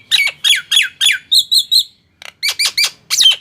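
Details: Loud Nias hill myna notes played to prompt silent mynas: repeated sharp descending squawks, a few quick clipped notes, a brief gap, then more downslurred squawks.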